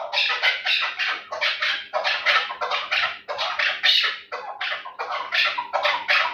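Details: Chukar partridge of the Terali type, kept as a fighting and hunting bird. It gives loud, harsh, rhythmic chattering notes in rapid runs of about three per second, growing stronger, over a faint steady hum.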